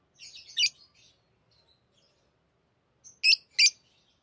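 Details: Pet lovebirds singing and chattering as they play with rings. A burst of high, scratchy twittering opens the passage, then a pause, then three sharp, shrill chirps in quick succession.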